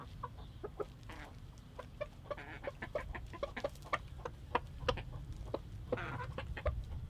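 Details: Rooster talking to his hens about food: dense runs of quick, clipped clucks and a few longer nasal notes, over persistent low-pitched background rumble.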